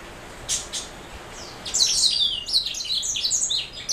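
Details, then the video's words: Black-throat mule, a canary hybrid; two brief clicks and a faint note precede a burst of quick, high twittering and trills that continues to the end. "Black throat mule"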